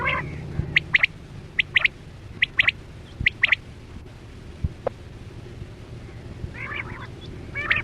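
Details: Chora quail calls used with nets in hunting, 2024-25 season: scattered sharp paired notes spaced under a second apart, later rougher layered chirps, over low-frequency hum and occasional clicks.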